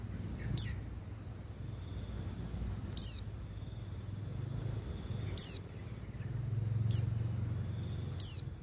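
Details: Female Oriental white-eye calling the male; five thin descending whistles at irregular spacing, faint short chirps in between, over a continuous high whine and a low rumbling background.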